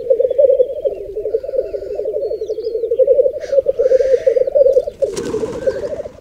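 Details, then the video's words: Black grouse cocks bubbling at a lek on a raised bog in the Berezinsky Biosphere Reserve, with females present: continuous low rolling burble, a hissing sneeze-like burst midway and another loud rush near the end. "Уникальный тетеревиный ток на заповедном болоте"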